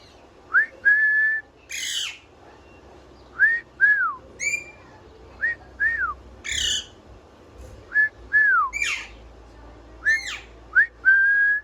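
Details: Pet parrot whistling with evident enjoyment: a lively run of rising and falling whistled notes and held steady tones, mixed with harsh squawks, repeated every second or so throughout.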